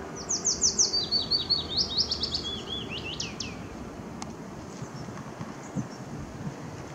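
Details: Willow warbler singing along the Zeeburgerpad on 2 May 2016: a sweet, high, descending cascade of whistled notes lasting about two seconds and softening toward its end, followed by a few scattered high notes over a faint low background rumble.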